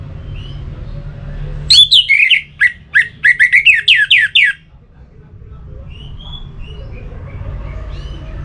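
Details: Orange-headed thrush song meant to spur a kept bird into singing: a vigorous run of about a dozen loud, fast, slurred whistles and squawky notes lasting nearly three seconds, followed by faint distant whistles over a low hum.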